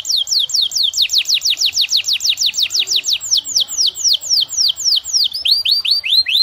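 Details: Canary singing in the lively 'gacor' style, used as a lure to get other canaries singing; long, ornate song. A fast run of downward-sweeping whistled notes, about five per second, slowing into spaced rising-falling notes at the end.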